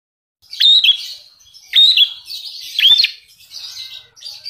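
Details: Lovebird singing an imitation of the Javan prinia (prenjak alas), a local Indonesian bird, used as filler in its song: bright high whistled phrases ending in sharp downward flicks, repeated about every second, with a scratchy chatter between them.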